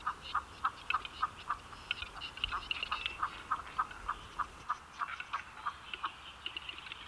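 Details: Western capercaillie in Belarus, part of the male's song during the spring lek: a steady run of dry, knocking clicks, roughly three to four per second, with faint songbirds in the background.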